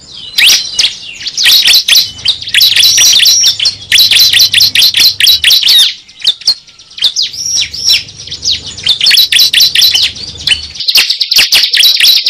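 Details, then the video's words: A cible bird used as a trapping lure: long bursts of busy high twittering and sharp chirps lasting several seconds each, separated by a short lull, with a faint low hum beneath. "Pikat suara burung cible"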